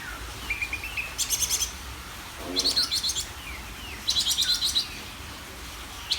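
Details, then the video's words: Greater green leafbird delivering repeated bursts of rapid, buzzy high trills alternating with soft sliding whistles, about one burst every one and a half seconds. "SUARA CUCAK IJO GACOR DOR"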